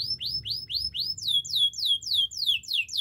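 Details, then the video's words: Training song from a canary: a tour of rising whistled slurs repeated about four times a second, then switching to faster, higher, downward-sweeping notes, clear over faint low background. "Beautiful voice of canary birds"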